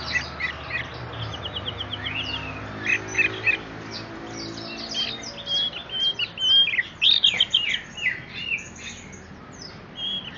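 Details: Ringed orange-headed thrush singing steadily: a rich, varied stream of high whistles, trills and quick chirps, over a low hum.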